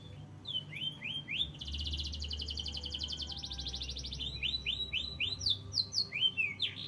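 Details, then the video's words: Canary song full of varied phrases: a sustained buzzy rattle, then strings of rapid rising and falling chirps repeated several times a second, with a low background hum. "gacoran kenari isian komplit"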